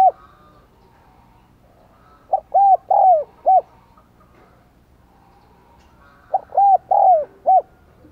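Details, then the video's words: Decoy spotted dove, 'giọng đồng còi' voice style, calling keenly to lure wild doves. Two clear phrases of five soft coos, a short lead-in, swelling longer notes and a clipped ending, about four seconds apart, with a quiet background. "Chim Cu Mồi Thúc Gù Và Gáy Gọi Cực Sung"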